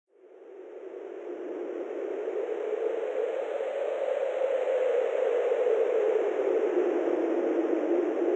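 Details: Steady hiss of static-like noise swells in over the first seconds and holds loud and even, with faint high tones above and no animal voice.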